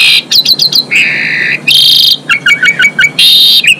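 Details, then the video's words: Female Asian pied starling in full song, meant to bring males into breeding condition: quick high chirps, a long harsh buzzy note, a loud hissing rasp, then a string of short falling chips and another rasp. "JALAK SUREN BETINA GACOR MOMPA COCOK BUAT NAIKIN BIR4HI JANTAN"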